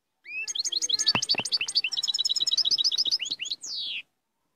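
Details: Powerful European goldfinch song: a dense stream of quick, high twittering and chirping notes over about four seconds, closing with a long, buzzy downslurred note.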